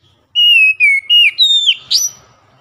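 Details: Daily lure song of an Oriental magpie-robin in ngeplong style: sustained, loud pure whistles that fall in steps, ending with a sharp upward-swept note, with faint low background rumble.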